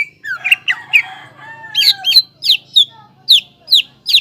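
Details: Greater green leafbird in full song, used as a lure to excite young untrained leafbirds into singing: sharp, sweet notes dropping in pitch, first in a rapid tumbling run, then spaced chips roughly every half second. A faint low hum runs underneath.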